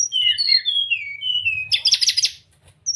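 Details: Caged-bird training song of the brown-chested jungle flycatcher: a string of smooth, falling whistles gives way to a dense, scratchy high chatter, then a brief pause and one more thin whistle.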